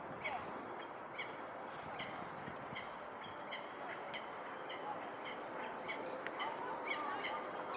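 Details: A female peregrine falcon on the Knightsbridge barracks spots her approaching mate and calls to him: harsh, grating calls about twice a second in a steady run, over a constant background hiss.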